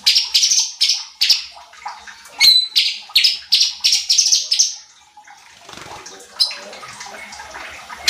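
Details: Cucak cungkok bulbul from a master track for training competition birds: a steady series of sharp high notes, about three per second, followed by a few seconds of faint rustling.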